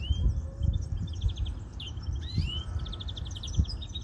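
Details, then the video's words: Several European greenfinches trilling: bright rattling runs and a couple of rising whistles, with soft thumping sounds recurring in the background. "probando verderones"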